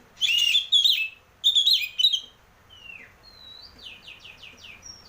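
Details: Oriental magpie-robin used as a lure to get a cage bird singing: three loud harsh scratchy bursts, then a run of soft descending whistled notes repeated quickly.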